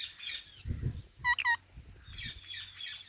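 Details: Ringneck parrot giving two quick, loud harmonic chirps in the middle, each rising then dropping slightly, over a soft background of distant bird twitter and low thumping noise.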